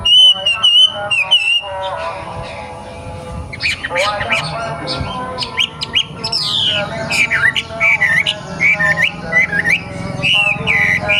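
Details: Wambi, a young bird from the wild, gives looping whistles, then a busy stretch of sharp chirps and downslurred notes over faint low background noise.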